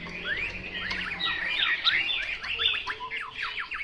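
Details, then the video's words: Chinese hwamei singing a busy run of quick slurred whistles and sharp downward notes, high and varied, with a faint low hum beneath. "Họa mi mộc"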